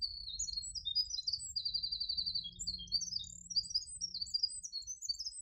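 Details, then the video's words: Winter wren song, a very fast stream of about 100 notes in 7 seconds, heard as a squeak by humans: high, tinkling, tumbling notes and trills packed closely together throughout, with a faint low hum beneath. "It's the song of the winter wren."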